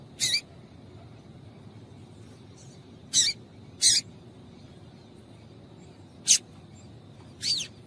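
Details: A female yellow-bellied seedeater calls to excite males, giving five brief high chirps at irregular intervals of one to three seconds, each sharp and slightly buzzy, with a low background rumble and faint steady high hum.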